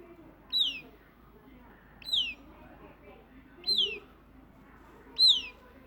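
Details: Southern lapwing chick repeating a high, piercing, falling peep four times at steady intervals of about one and a half seconds, against a quiet low background hum.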